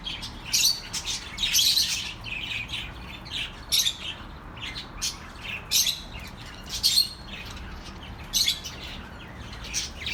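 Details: Budgerigars for lonely pet birds, chattering in quick pulses: buzzy, squawky chirps repeating about once a second in clusters, with some clear whistled notes among overlapping birds and steady soft hiss.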